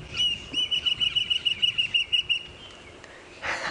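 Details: A Fork-tailed Drongo at Djuma Game Reserve on a sunrise safari drive, 9 November 2016, mimics a nearby Wahlberg's Eagle: a quick run of about a dozen thin, very high whistled notes on one steady pitch, then a short rustle.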